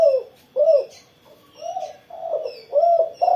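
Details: Spotted dove singing actively after its morning sun, low soft coos in an uneven series, some short and arched, others longer and quieter, ending on a strong coo; faint high bird chirps and a thin continuous whine.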